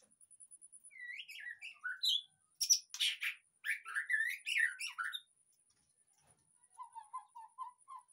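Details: White-rumped shama song played to prompt a silent bird to sing: quick ticking notes lead into varied whistled phrases with harsh broadband bursts, then lower soft repeated notes near the end.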